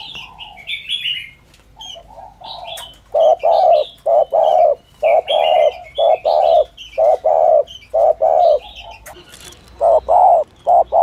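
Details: Spotted dove giving a 'thổ thúc gù' urging coo, a call style used by trappers to lure doves: low, hollow paired coos, a short note then a longer one, in quick bursts after about three seconds of other birds' chirps and whistles at the start.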